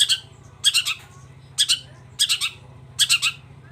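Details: Long-tailed shrike calling in lively form: harsh, rasping doubled and tripled notes repeated about every half second to second, with a steady low hum beneath.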